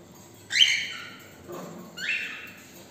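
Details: Cockatiels after a morning walk giving two loud, harsh, rising squawks about one and a half seconds apart, with a softer lower call between them.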